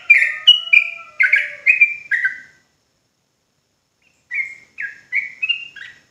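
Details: Sooty-headed bulbul from Java in lively song: a dense burst of bright fluty phrases with falling slurs, then about a second and a half of silence, then a softer run of short whistled notes.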